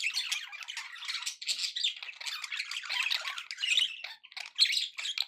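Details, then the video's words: Happy budgies kept as pets give steady, busy chatter: rapid raspy warbling mixed with squeaky notes and clicks, flowing with only short dips in loudness. "happy budgie sounds"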